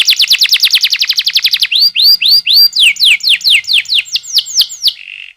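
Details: Canary singing a long rolling lure song for training young canaries: fast repeated trill, then evenly spaced looping upslurred whistles roughly every quarter second, fading into a soft buzzy roll.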